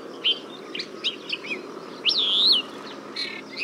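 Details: Song of a desert finch: scattered short chirps and twitters, then a clear drawn-out whistled note that rises, holds and falls over about half a second, ending with a buzzy note and a chirp amid steady background noise.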